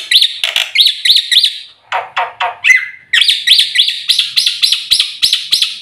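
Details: Black-winged myna (jalak putih) singing a full 'isian' song: bright whistled notes repeated rapidly, each rising then dipping, interrupted midway by a burst of harsher, lower chattering notes, then resuming the quick whistled series.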